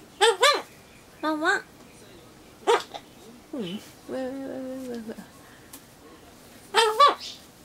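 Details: Pet Solomon Islands cockatoo indoors imitating a dog's barking, picked up after hearing a neighbourhood dog; paired harmonic 'wan-wan' bursts repeated several times, with a longer wavering note midway, in a small quiet room.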